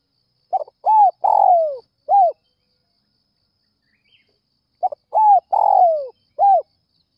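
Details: Spotted dove calling in the early morning to lure other doves: two phrases, each a short soft note, two rising-falling coos, a long drawn descending coo and a final arched coo, separated by about four seconds of silence.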